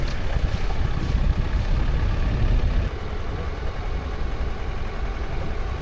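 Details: Only a steady low engine rumble and wind buffeting are heard, with no animal calls.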